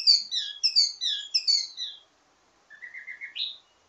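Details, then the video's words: Ledekan teasing song of a wambi mini with many variations, meant for tutoring birds of the same kind: bright descending chirp clusters repeated quickly, then silence and a low rapid trill ending in a sharp high note. "Ledekan Wambi mini Full Gacor Banyak Vareasi"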